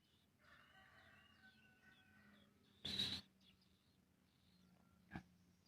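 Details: Bar-winged prinia chick calling while being hand-fed: a run of buzzy, harsh, layered calls over about two seconds. A loud rushing burst follows, then a single sharp knock, over a quiet low hum.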